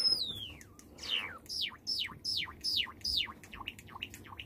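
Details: Pet white Java sparrow on 20 June 2019: a long falling whistle followed by a quick series of sharp downward-sweeping chirps, roughly three per second, softening at the end, indoors with low room noise.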